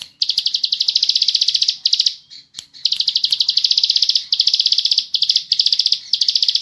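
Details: Bar-winged prinia singing in the ngebren style, recorded as a training recording for birdkeepers: long bursts of rapid, high buzzy notes run together into dense trills, broken by short pauses and a few sharp clicks.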